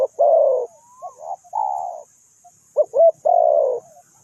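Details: Close spotted dove in a bird-trapping setting delivers deep cooing phrases, quick clipped notes leading into drawn-out rough coos, with a brief soft whistle between phrases and faint insect hiss in the background.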